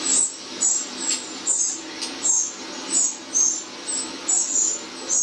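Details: Eurasian wren in a garden, reacting to playback of recorded wren song, gives very high, thin chirping notes in short bursts, several each second with brief pauses, over a faint low background hum.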